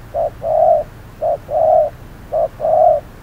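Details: Spotted dove used as a trapping decoy at hot noon, answering a cautious wild bird. Mellow coos fall into steady pairs, a brief hoot followed by a drawn-out one, repeated three times in quiet surroundings.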